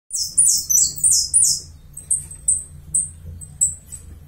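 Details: Saffron finch from Uruguay singing: a quick burst of very high, descending buzzy sweeps, then sharp thin chips spaced about half a second apart over a low steady hum.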